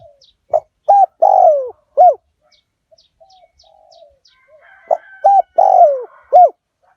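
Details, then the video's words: Calling spotted dove, 'Liu Tan' style from a fierce strain, used to pull wild doves in fast. Two four-note coo phrases with a long downslurred middle note. Quiet ticks and a faint soft coo come between the phrases. "เสียงต่อนก หลิ่วตันสายพันธุ์ดุ นกป่าเรียกกุกเข้าเร็ว เสียงนกเขาใหญ่ป่าเต็ม100"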